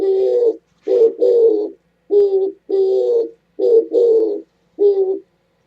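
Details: Oriental turtle dove recorded 27 January 2017, giving a steady run of deep, husky coos in paired short and drawn-out notes, roughly eight notes repeating over six seconds against a silent background.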